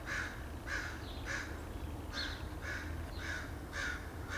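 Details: Crows in a front yard in Edmonton, Alberta, Canada, recorded 8/3/2012, giving a run of about eight rasping caws at a quick, even pace, with a continuous low background hum.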